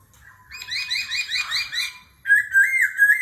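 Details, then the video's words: Laughingthrush in competitive singing with a wild-style voice, changing voice continuously in the kéo thuốc lào style: a run of rapid repeated whistled notes, then a louder sustained, wavering whistled phrase. "Khướu hót giọng rừng - hót đấu - đảo giọng liên tục - kéo thuốc lào"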